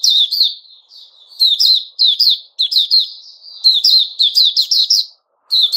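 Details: Lively white-rumped shama song dated 29 August 2021: repeated chattering phrases mixing crisp clicks and clear whistles, broken by a few quiet warbles and short silences.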